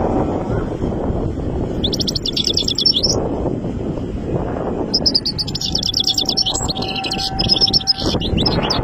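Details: Three-month-old goldfinch chick singing strongly: bursts of high, rapid twittering and tinkling notes lasting one to three seconds, over steady low rumbling background noise.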